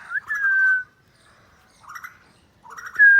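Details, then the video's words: A pet Alexandrine (green ringneck) parakeet, playing with a mobile phone, gives three short bursts of mimicked talk in a clear, whistly voice, each with a sliding, slightly warbled tone. Nothing else is heard. "Alexandrine Green Ringneck Talking parrot"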